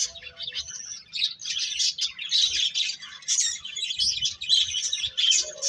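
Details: Birds chirp steadily in a lively chatter of quick, high tweets that swell and fade in waves, with a brief lower note at the close.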